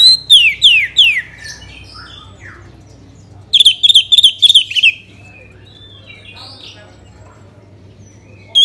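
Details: Orange-headed thrush singing, used as a lure to make other birds sing: quick bursts of sharp, descending high notes, a pause, then a rapid run of five or six bright repeated whistles, with a later brief note and a low steady hum.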